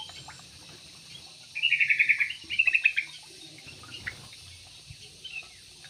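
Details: Caged Yellow-vented bulbul in an aviary giving two rapid, bubbling bursts of clipped notes back to back, each about half a second long, against a quiet background.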